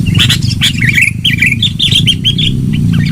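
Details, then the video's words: Energetic sooty-headed bulbul lure song: a fast chain of bright, wavering whistled notes sung almost without pause, over a heavy low background hum. "Suara Pikat Burung KUTILANG GACOR.... suara keras"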